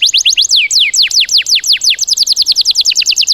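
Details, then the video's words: Tembakan isian song material for training cage birds: a fast, loud volley of sharply descending whistled sweeps. About two or three come each second, running without pause. "MATERI ISIAN BURUNG TEMBAKAN MEWAH POWER DOOR"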